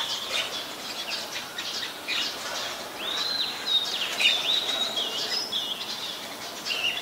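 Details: Wild white-vented mynas in Ubon Ratchathani, Thailand, recorded 29 December 2019; a jumble of harsh chattering and squeaky, twisting whistled notes, with wing flutters and rustling among several birds.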